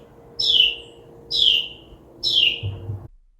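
A Carolina Wren gives three clear, high notes that slur downward, about one per second. A faint steady hum runs underneath.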